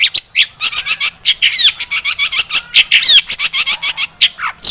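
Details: Long-tailed shrike singing nonstop with many inserted fill phrases, played as a lure to provoke singing: dense, rapid chattering of scratchy chirps mixed with thin slurred whistles rising and falling.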